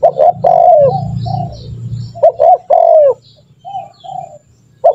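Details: Spotted dove coos used as a lure for training birds to call: a couple of phrases of short notes and a longer falling coo, with a low droning hum early on and faint softer coos before a final note.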